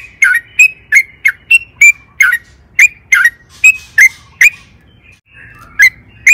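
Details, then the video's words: Actively singing sooty-headed bulbul, a lure for caged birds; a run of short whistled and burbling notes about two per second, a brief pause near the end, then two final notes. "trucukan gacor EMOSI ROPEL PANJANG PANCINGAN TRUCUKAN AGAR BUNYI"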